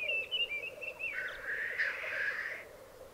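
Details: Black grouse males at a lek in the Alps of Piedmont, Italy, 2022. A brief warbled whistle opens the clip, then a long drawn-out hiss rises over a continuous low bubbling chorus.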